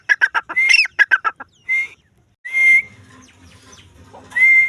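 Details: Female grey francolin (teetar) giving a quick series of harsh rattling notes, then several separate noisy bursts, each carrying a whistled upslurred tone. Faint low rumbling sits underneath.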